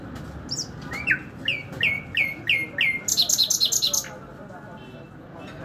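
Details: Nightingale singing: a short high note, then a run of loud whistled phrases dropping from high to lower pitch about twice a second, followed by a fast burst of very high, buzzy repeated notes; faint low background rumble.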